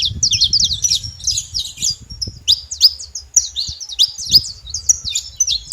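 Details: Saffron finch sending out quick bursts of thin, high chirps and slurred notes in uneven clusters, over a low rumbling background.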